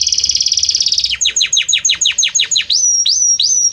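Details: Belgian canary with a harmonious, varied song: a fast high trill followed by about ten loud, evenly spaced downward-swooping notes, then three rising whistled slurs.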